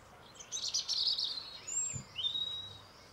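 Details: A European robin sings on a grey day: a short, high phrase of thin, tinkling notes, then a sweet descending slur and a rising whistle, with a faint low thump behind.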